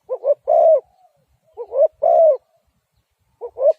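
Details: Spotted dove cooing: two short low coos followed by a longer, louder drawn-out coo, the phrase given twice, with a third phrase starting at the end; quiet background otherwise.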